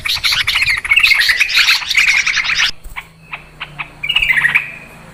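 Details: Clear lure recording of excited, noisy Yellow-vented Bulbuls for trapping birds; a run of rapid twittering chatter stops abruptly, followed by a few isolated chirps and a short slurred phrase.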